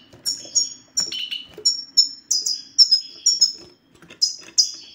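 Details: Goldfinch song of the 'satsata' type, played to coax silent male European goldfinches into singing: rapid, high, liquid tweets and ringing slurs, roughly three to four per second, with a brief lower buzzy phrase early on.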